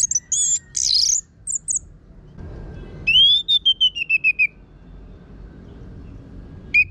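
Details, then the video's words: Orange-headed thrush, locally anis merah, singing in captivity as a training lure for other birds; high buzzy notes open, followed by a descending string of about ten clipped whistles and a faint steady tone. "Pancingan ANIS MERAH Gacor Suara Kasar Ini Membuat Burung Ikutan Ngeplong"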